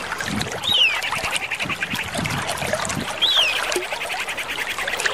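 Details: Common iora, a lure recording of a female that a male answers; two loud, clear whistles slide downward about two and a half seconds apart over a dense bed of other chatter and noise.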